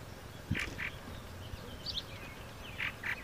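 Purple Martin giving short, throaty chirps in quick pairs, with a brief higher twitter between them, over a soft outdoor background and one low thump.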